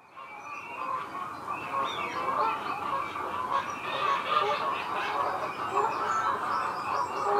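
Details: Two Canada geese at the Disselmersch nature reserve near Lippborg on 23 February 2019 at 07:30, recorded with a Panasonic Lumix GH5 camera; a dense stretch of nasal honks overlapping continuously, swelling louder toward the end.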